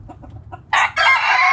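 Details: Backyard chickens: a few soft hen clucks, then a rooster starts a loud crow with a brief opening note, a short gap, and a long drawn-out harmonic phrase.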